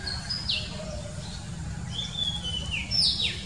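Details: Oriental magpie-robin in the wild, singing bright whistles: a held note dropping sharply, then long level whistles and a high downward sweep, with constant low rumbling noise underneath.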